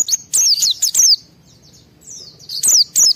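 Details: Fired-up white-eye song used to spur other white-eyes to sing: dense clusters of very high, piercing slurred chirps, a short quieter gap, then another quick burst of sharp notes.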